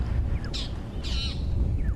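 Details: Several magpie shrikes alarm calling at a raptor flying nearby, possibly a dark chanting goshawk, on a morning safari drive on 10 November 2015; kudu look up. Two harsh, broad squawks sound about half a second apart over low rumbling.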